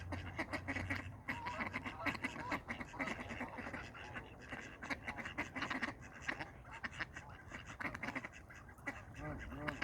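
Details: Ducks fighting, giving a dense, continuous run of harsh, nasal quacking calls that overlap one another, with rapid harsh bursts throughout.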